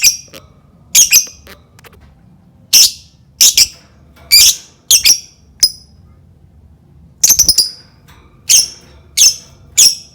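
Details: Caged lovebirds, sound played to prompt other lovebirds to call along: sharp harsh squawks, single or in quick doubles and triples, spaced irregularly about every second, in a quiet indoor room.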